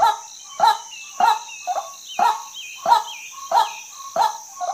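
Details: Harsh croaking notes of a female white-breasted waterhen, some followed by a softer echo note, repeated around every 0.6 seconds, with drawn-out wavering whistles and an insect buzz behind.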